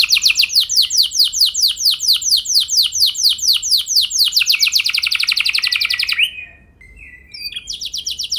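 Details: Canary song played to encourage other canaries to sing long rolls: steady run of descending whistled sweeps that speeds into a dense trill, short gap, then the trill resumes.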